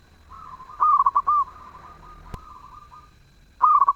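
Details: Zebra dove singing actively and melodiously: one complete stuttering phrase of mellow coos with a drawn final note, a faint steady tone lingering behind it, then the next phrase starting at the end.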